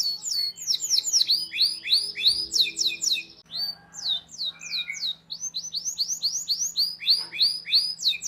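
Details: Canary singing as a model for young canaries: lively strings of swooping whistled notes in rapid series, broken by brief pauses, with a faint low hum underneath.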